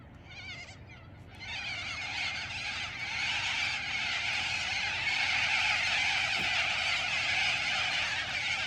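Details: Many sulphur-crested cockatoos filling a eucalyptus tree and flying over Oodnadatta in outback Australia give a dense wall of harsh, raucous screeches, overlapping continuously and building after the first second or two.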